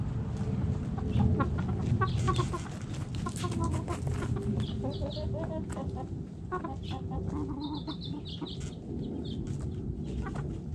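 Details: Chickens digging in the dirt cluck busily and repeatedly, with rapid stuttering clucks and a few higher squeaky notes toward the end, over a constant low rumble of scratching and movement.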